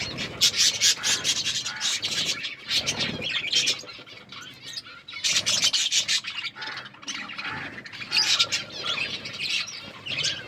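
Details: Budgerigars chirping while eating: dense, scratchy high chatter in rapid overlapping bursts, swelling and fading in waves.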